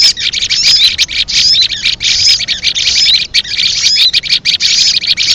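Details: Leafbird lure call for trapping: continuous dense high chattering with quick whistled slurs and rapid twittering, loud and almost unbroken with only brief gaps.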